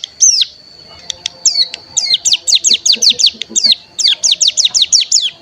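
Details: Cigun pancingan (lure) recording: a steady thin high tone runs behind a fast series of sharp downslurred whistles, repeated several times per second in bursts, with soft lower chips mixed in.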